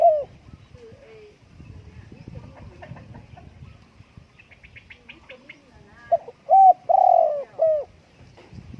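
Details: Spotted dove: after quiet scattered chirps and background noise, a loud mellow phrase of a short note and three rounded coos, the middle one drawn out, near the end.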